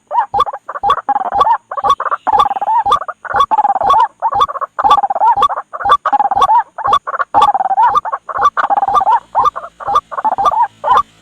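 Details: White-breasted waterhen lure recording for trapping at night: a steady, unbroken run of harsh chattering croaks, with sharp clicks at regular intervals throughout.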